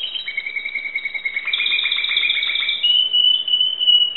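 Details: Timbrado canary from Greece singing: sustained whistled trills around a steady pitch, shifting between rolling tours and a higher held note near the end.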